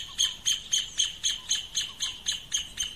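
A rufous hornero gives a steady run of sharp, high, ringing notes, about four per second, evenly spaced. Nothing else stands out.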